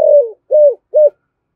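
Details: Spotted dove giving an intense Thổ Sấm-style coo meant to provoke wild doves: three clear mid-pitched arched notes, the first longer and sliding down, the next two short, over silence.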